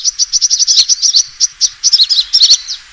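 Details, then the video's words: Sunbird fighting call played as a lure, a fast string of thin high chips breaking into twittering, sharply inflected notes. "suara pikat burung kolibri tarung"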